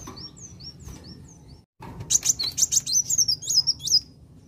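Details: Kolibri wulung sunbird song meant to excite other birds: soft high slurred whistles, a brief cut, then a loud rapid string of piercing chips and bouncing whistled notes, about two or three each second, over faint low hum.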